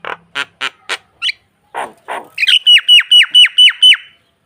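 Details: Starling song used to lure another bird into nodding, opening with harsh, noisy chattering bursts, then a loud run of seven sharp, downslurred whistles repeated about twice a second.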